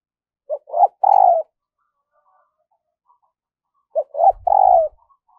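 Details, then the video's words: Spotted dove kept as a decoy for luring wild doves, giving two cooing phrases about three seconds apart, each a short note, a rising coo and a long falling coo, with faint low thumps. "Luyện Giọng Chim Cu Gáy Mồi Mỗi Ngày"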